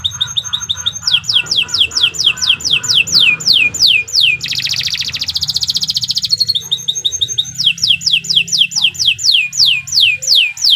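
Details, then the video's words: Vigorous, long-running song of a local Indonesian canary, meant for tutoring other birds: repeated falling whistles nearly twice a second, a dense buzzy trill in the middle, then the falling whistles resume over quieter background chatter. "Suara Burung Kenari II GACOR PANJANG Cocok untuk Masteran"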